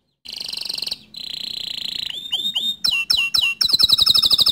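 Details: Atlantic canary song meant to set other canaries singing: a sustained buzzy high roll, a second long buzzy roll, a run of sliding swept whistles, then a rapid, strongly pulsed high trill.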